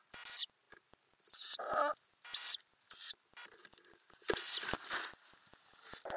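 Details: Ural owl (Strix uralensis) filmed inside a nest box in May 2020, with adults and growing chicks: harsh, breathy hissing calls in short bursts about once a second, a lower rasping burst, and soft scratching and tapping between.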